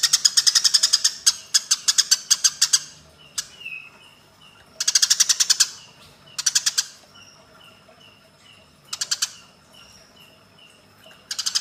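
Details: Fighting Eurasian tree sparrows as a training recording for other birds: a dense opening burst of harsh chirps, then scattered shorter bursts separated by long gaps full of soft, repeated thin whistles.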